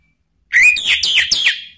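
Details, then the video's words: A male orange-headed thrush in Indonesia replying in full ngeplong song, used to coax other birds into singing: a single dense burst opening with a rising whistle, then quick descending slurred notes repeated about four times. "ANIS MERAH JANTAN SPONTAN ikut NYAUT NGEPLONG ¦ PANCINGAN AM ¦ TERAPI MACET"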